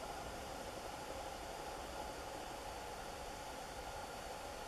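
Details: Steady, even broadband hiss with a low rumble, like wind or machinery, with no animal calls anywhere.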